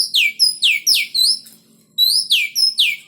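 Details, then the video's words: Caged oriental magpie-robins during pairing for breeding give loud, sharp whistled notes that sweep downward, delivered in quick series of four or five, with a short pause between bursts. "proses penjodohan burung Kacer sangkar petak / gantung"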